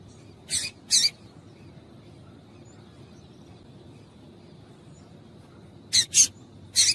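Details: Female double-collared seedeater calls, used to stimulate males into singing. Two short, high, sharp chips come close together, then silence, then three more chips spaced about half a second apart, over faint background noise.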